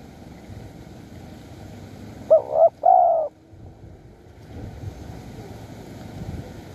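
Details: Spotted dove lured with a decoy at Bang Bai Mai, Surat Thani, Thailand. It gives one phrase of two short soft coos and a longer drawn coo, set against a steady rushing background hiss.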